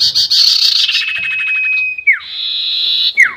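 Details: Sirtu bird making a long 'nyiul panjang' whistle, a trapping lure: loud, rattling buzz over a steady whistle, then a held note sliding sharply down, a second even buzzy tone, and another falling slur.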